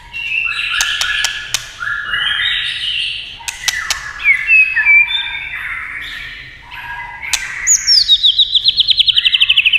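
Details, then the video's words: White-rumped shama singing after tail-tapping clicks meant to provoke it: varied whistled and chattering phrases with sharp broadband clicks, ending in a fast run of repeated high notes. "chòe lửa tạch đập đuôi cạch cạch kích thích chòe lửa hót"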